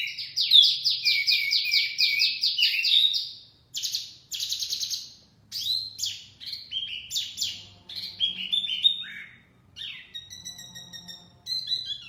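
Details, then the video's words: Wambi mini singing energetically, a recording used as a lure for trapping birds: dense runs of rapid, buzzy trills and chirps, then clipped whistled notes and rising and falling phrases with short pauses. "Kicauan Wambi Mini Pikat Gacor"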